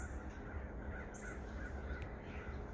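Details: Several crows caw faintly in the distance, coming in to someone calling them for food, harsh repeated notes over a steady low rumble; blue jays also reported about.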